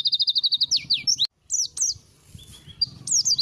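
A white-eye sings a fast run of about ten thin, high chirps, then twisting, slurred whistles broken by short pauses, over a faint low hum.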